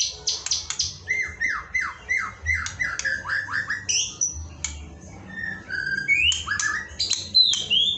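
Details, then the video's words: White-rumped shama (murai batu) masteran song, evening training recording: a quick series of downward-sweeping whistled notes, then scattered high whistles and twisting rising phrases, with a faint steady hum beneath. "Sore yang Merdu: Ajakan Masteran Murai Batu untuk Mengoptimalkan Suara saat Sore Hari"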